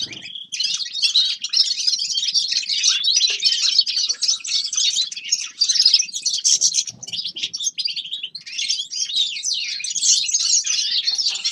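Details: High, fast chattering and twittering from a group of forest birds in winter, an unbroken wash of chirps and trills with a brief low rustle near the start.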